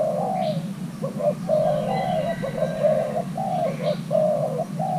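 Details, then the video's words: Cooing of a young male Thai hybrid spotted dove being paired: about five seconds of rounded, hollow coo notes strung in quick groups, over a continuous low background hum. "Kích xem nước chơi của gáy thái lai trống tơ đang ghép đôi"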